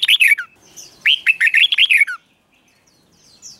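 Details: Red-whiskered bulbul, a cage bird, performing a doubled-style phrase for youngsters to copy: one falling chirp, then a quick liquid string of rising and falling warbled notes, followed by quiet.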